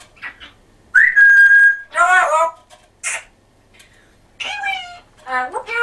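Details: African grey parrot that talks in a Yorkshire accent mixes a long steady whistle with several loud, speech-like phrases and short bursts, in rapid succession.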